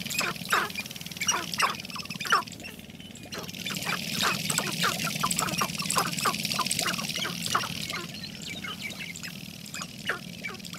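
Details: Several sharp-tailed grouse displaying in spring give rapid, clucking cackles, about three a second, over a low steady rumble of outdoor background noise.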